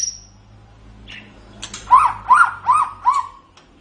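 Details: White-rumped shama in a recording for training other songbirds: a thin high note and a few clicks, then four rounded, upswept whistles, each about a third of a second apart, over a low hum.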